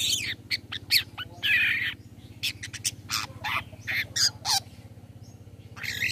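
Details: Long-tailed shrike 'toet toet' lure call for prompting rival shrikes to answer: rapid series of sharp, harsh squawks and clicks, one longer scratchy note near the start, then spaced short rasps, with a steady low hum beneath.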